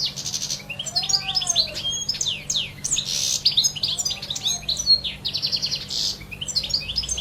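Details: Wild European goldfinch in nature delivering a continuous, rapid, liquid twittering song of high tinkling notes, buzzy trills and short chirps with brief pauses, over a steady low hum.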